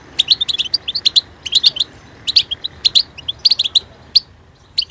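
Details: European goldfinch producing rhythmic groups of sharp, high tinkling chirps, bursts roughly every half second with short quiet gaps.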